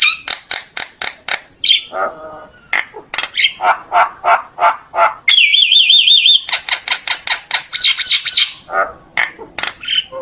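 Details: Common myna calling its flock in song: fast runs of sharp clicks, lower gurgling chuck notes, a sustained wavering warbled whistle, then more rapid clicking and chatter.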